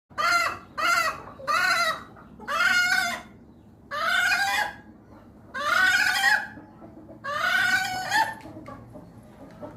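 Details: Hen giving an unusual, strange call: seven loud, harsh, nasal squawks with rich harmonics, each about half a second, rising slightly then falling, in uneven bursts roughly every second over a quiet background.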